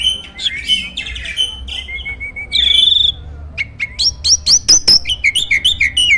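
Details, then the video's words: Champion starling prized for a strong voice and rich song fill: buzzy, scratchy phrases and a bright sustained whistle give way to a quick series of sharp rising chirps and high whistles. "MASTERAN BURUNG JALAK SANG JUARA!!"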